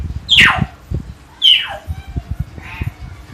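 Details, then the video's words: Common hill myna, known locally as tiong emas or beo, kept in Jatiasih, Bekasi, calling actively: two loud, harsh squawk-whistles sweeping steeply downward, about a second apart, over low background rumble and faint knocks. "Beo "Si Jojo" Gacor suara alam"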